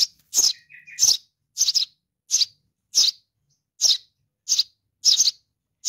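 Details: Baby Eurasian tree sparrow calling its mother with rapid scratchy chirps, about nine in six seconds, several doubled. A soft, lower warbled phrase sounds between the first calls.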